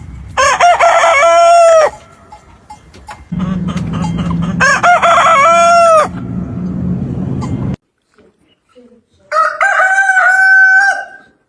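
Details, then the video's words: Repeated rooster crowing: three separate harmonic crows, each about one to two seconds long, with quiet gaps between them, a low droning hum under the middle one, and near silence before the last. "Rooster crowing 🐓 sound effect"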